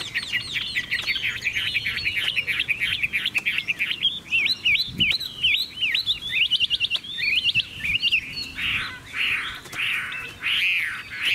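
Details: Caged Chinese hwamei, a prized singer from Vietnam, delivers a rapid chattering medley of short whistled notes and quick trills, then slower, fuller slurred whistles toward the end.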